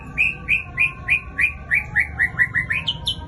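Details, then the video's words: White-rumped shama giving a fast run of short, bright chirps, each dipping then rising, repeated about three times a second and climbing slightly higher toward the end, over steady low background hum. "Ganasnya Murai Raja Rimba"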